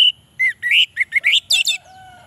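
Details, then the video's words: Orange-headed thrush in song, for drawing out males that rarely sing: a thin whistle, then a series of rising, slurred warbles, ending in harsh high notes and a fading low whistle. "suara Anis merah untuk pancingan"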